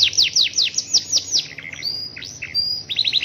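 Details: Canary in the rainy season singing its long roll, with quick repeated down-sweeping notes, a short drawn-out whistle, and a closing burst of rapid chips.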